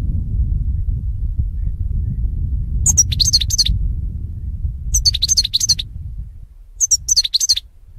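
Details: Training song of the European goldfinch: the same short twittering phrase of high chirps and slurred notes repeats three times, about two seconds apart, with a low rumbling hum that fades near the end.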